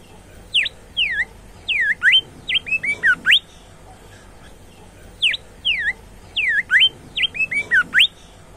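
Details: Bimoli singing actively in a varied whistled song: clear down-slurred and up-slurred notes in quick runs, one phrase of about a dozen notes given twice with a pause of roughly a second between, over a faint steady background hum.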